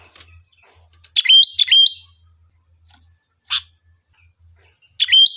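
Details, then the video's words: Sooty-headed bulbul, a lively singing bird used as a lure to provoke a reply: short bright two-part whistled phrases, each ending in a level note, given in quick bursts with pauses, over a steady thin high-pitched whine. "Suara Burung Kutilang Gacor, Pancingan Ampuh dijamin nyaut"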